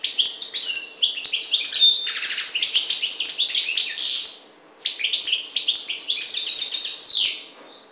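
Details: A parva goldfinch from the Maghreb sings in two long bursts of rapid, sparkling twitters and buzzy trills, separated by a short gap near the fifth second, fading at the close.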